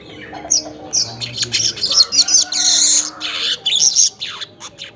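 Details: Early-morning weaver at around 5:40 giving a short run of high, rasping buzzes and chips that build into a longer sizzling phrase, then fade into scattered notes.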